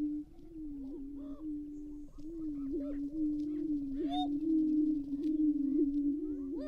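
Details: At a Minnesota prairie lek in early spring morning, April 2019, greater prairie-chickens produce an unbroken low droning hoot, punctuated by scattered high whooping cackles and quick chatter notes.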